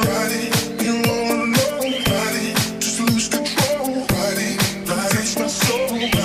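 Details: Upbeat dance music with a steady thumping beat and bright melody plays throughout, with no animal sounds heard.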